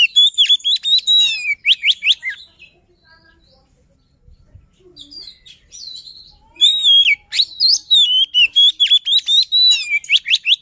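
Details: White-rumped shama giving luring song, two dense bursts of loud clear whistles, rapid slurred phrases and sharp rising notes, separated by a quiet pause of a few seconds.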